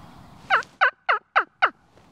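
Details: A Wild Turkey gobbles in spring woods just before sunrise: a rapid burst of five loud, throaty, descending gulps about a quarter second apart, with Great Horned Owls calling nearby and faint hiss.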